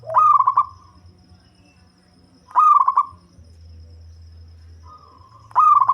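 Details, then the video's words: Local zebra dove with a bass-heavy voice, used for luring: short, rolling, stuttered coo phrases about every two and a half seconds, separated by quiet gaps with a low background hum. "Perkutut Lokal Suara Ngebas || Cocok Buat Pikat"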